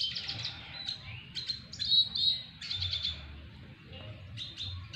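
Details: Courtship song of a double dilute red siskin directed at a female, made of bursts of high, buzzy twitters and short trills separated by brief pauses.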